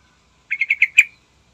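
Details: Yellow-vented bulbul singing energetically in the morning, a recording used to lure other birds into singing; one short bubbly phrase of five quick notes, each louder than the last, ending on the strongest note.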